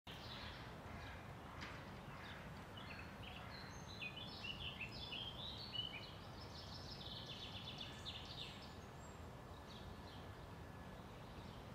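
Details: Great spotted woodpecker in Tivoli Landscape Park, Ljubljana, Slovenia, on 29 June 2023 gives short, sharp, high calls at an uneven pace over a steady low rumble of distant traffic.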